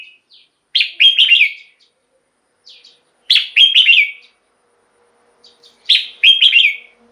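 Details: Red-whiskered bulbul in a cage, its song used to stimulate other caged birds: three matching phrases of rich slurred whistles, each opening with a short chirp, repeated roughly every two and a half seconds.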